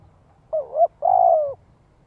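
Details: Cooing of a decoy spotted dove meant to lure wild doves, in the giọng hạp style: a wavering two-part coo, then a longer steady croo that drops at its end.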